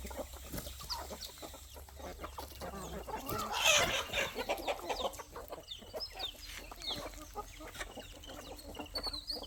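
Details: Chickens, roosters and chicks at evening feeding on a poultry farm. Dense rapid clucking and chick peeps run throughout, and a loud burst of rustling noise comes midway.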